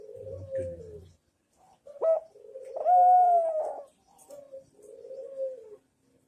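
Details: Barbary dove cooing, manggung style for training birds: a falling low coo, a pause, a bright rising note into a strong sustained tone with a clear overtone, then two softer mellow coos.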